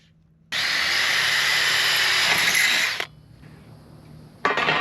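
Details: A power drill whines loudly for about two and a half seconds, stops, then starts briefly again, with quiet background in between.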